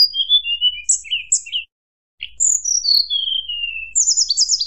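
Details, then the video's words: Fluted song of a tledekan gunung meant to anger rival birds: short mixed whistles and chirps, a brief pause, then a smooth cascade of descending whistles and a closing high buzzy trill. "tledekan gunung nyuling bikin lawan emosi"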